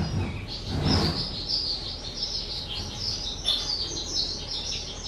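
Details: Two-year-old pet skylark, 18 April 2023, singing a thin high continuous warble partly masked by brief thumping and rustling noises near the start and around the middle.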